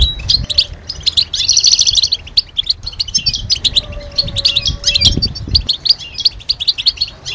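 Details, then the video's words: European goldfinch calls, said to stimulate males to sing and signal mating readiness: rapid bursts of high, tinkling chirps and twitters in short clusters, with a faint low tone and a few dull thumps in the background. "علاج سكوت الحسون بتبتة 💯💯 تحفز الحسون على التغريد والهيجان والجهوزية"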